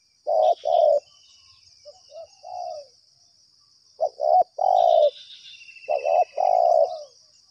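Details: Spotted dove answering a trapping lure: loud double-note coo phrases separated by quieter, distant coos, as if two doves are calling back and forth. A constant high insect hum and faint twittering birds fill the background.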